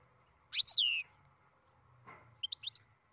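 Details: European goldfinch, a captive-bred bird starting its song, gives one sharp descending sweep. A soft rustle and a quick run of four tiny high ticking notes follow.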